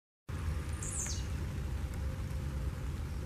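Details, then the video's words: A wild blue-black grassquit sings while leaping in nature, giving one short, buzzy, high note that sweeps downward, over a constant low rumbling background. "Tiziu Cantando e Saltando Na Natureza!"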